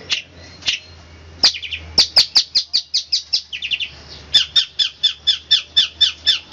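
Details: Rapid, tight 'roll speed rapat' song of a long-tailed shrike: after a few scattered notes, a steady string of sharp high chips builds, then a brisker, evenly spaced series of clear notes.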